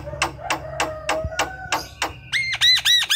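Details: Singing Javan myna, played to make quiet mynas start calling: a run of evenly spaced sharp clicks with a low whistle, a rising whistled note, then loud repeated arched whistled notes in quick succession.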